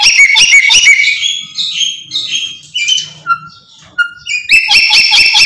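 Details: Screaming Black-capped lory: loud stuttering screeches in quick pulses open and close the passage, with hoarse squawks and two short clear whistled notes in between.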